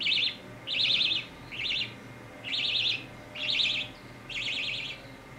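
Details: Budgerigar chick being scratched on the head repeats bright, high, quavering chirps about every second, six bursts in a row, with soft background hum.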